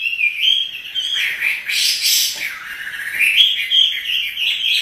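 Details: Chinese hwamei kept by hobbyists, singing energetically while dancing: clear slurred whistles, a noisy harsh burst in the middle, then more bright sliding whistled phrases.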